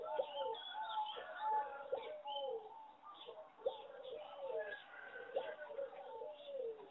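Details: Farm-bred singing zebra doves, a line bred for competition from a wild mutation, whose melody is judged poor; low, mellow cooing phrases with quick rolling notes overlap, repeating every second or two, with a faint murmur beneath.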